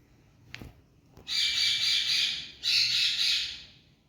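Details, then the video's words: Tame ringneck green parrot: two long, harsh, grating screeches, each lasting about a second, after a couple of faint taps. "Talking🌷Birds Ringneck Green Parrot"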